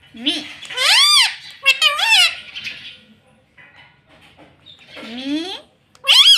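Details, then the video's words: Talking pet ringneck parrot saying "mummy" in a small room: loud, harmonic two-syllable utterances with a rising-then-falling contour, a pause, then further squeaky repetitions. "मम्मी बोलने वाला तोता"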